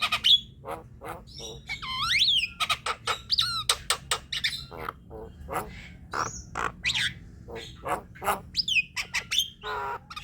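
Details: Javan myna singing a varied chattering song meant to wake up quiet birds: dense mix of clicks, rasping squawks, swooping whistles and squeaky notes, tumbling irregularly for about ten seconds.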